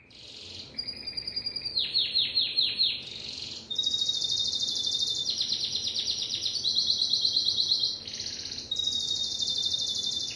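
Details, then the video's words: Timbrado canary song: a short whistle, then a series of quick pulsed beats, then long vibrating trills and watery rolls that switch pitch every one to two seconds, loud and clear throughout. "تغريد كناري التمبرادو"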